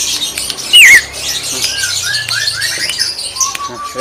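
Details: Greater green leafbird in 'tembakan' song: one loud looping whistled phrase near the start, followed by softer series of short rising whistles over faint twittering and low background hum.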